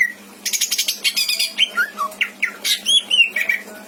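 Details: Pet greater green leafbird from Indramayu, Indonesia, delivering a mimicry-rich song: a dry buzzy rattle of rapid notes, then varied whistled slurs sweeping up and down, a few sharper high notes mixed in.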